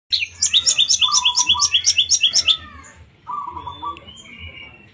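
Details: Long-tailed shrike singing: a fast series of about a dozen bright, chattering notes repeated several times a second, with lower warbled phrases in between, then a pause and a softer, lower warbling passage.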